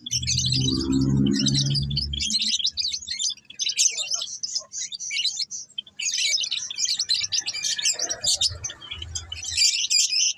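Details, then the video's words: Java sparrow giving high, rapid chirping and twittering in bursts, with a low rumbling noise at the start and soft background thuds. "burung gelatik belong"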